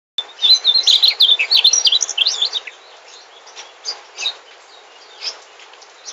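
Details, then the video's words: Mugimaki flycatcher, a migrant bird, singing a sweet, rapid warbling phrase of high twittering notes over about two seconds, followed by scattered fainter chirps. "Suara Burung Sikatan Mugimaki"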